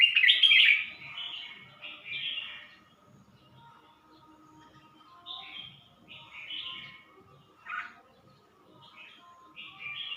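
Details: Red-whiskered bulbul from Suan Phueng, Ratchaburi, Thailand, singing a loud opening warble followed by a string of softer short whistled phrases repeated quickly, with a faint low hum beneath.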